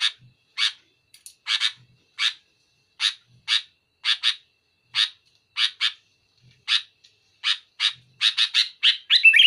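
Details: Sooty-headed bulbul in loud, sharp singing aimed at pressuring a rival. It gives a string of short, harsh, rasping bursts at uneven spacing, roughly twenty in all, that quicken into a rapid chattering run at the end.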